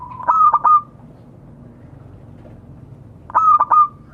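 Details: Zebra dove of a local strain calling out to others: a pair of phrases about three seconds apart, each with three staccato pulsed notes running into a sustained even coo, with near-silence between phrases.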